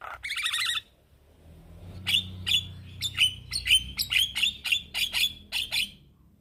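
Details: Male Javan myna song calling young mates: a harsh burst, a pause, then about fourteen sharp whistled notes with clicks, roughly two a second.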